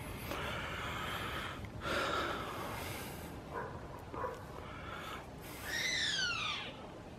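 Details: A chimango caracara perched on a pine branch about 15 m up facing the sea at Playas Blancas on the Chilean coast, June 2021, gives harsh, raspy, hissing notes, then one drawn-out, descending screech near the end.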